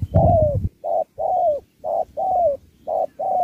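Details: Spotted dove competing in a singing match, with a Thúc-style song mixed with Bo. A burst of low noise at the start, then regular couplets of a brief hoot and a drawn-out descending coo.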